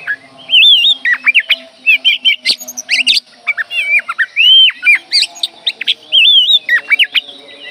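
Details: Oriental magpie-robin, known locally as kacer, calling: loud, varied phrases of whistled, looping notes and sharp chirps, rapid and continuous, with steady low hum in the background.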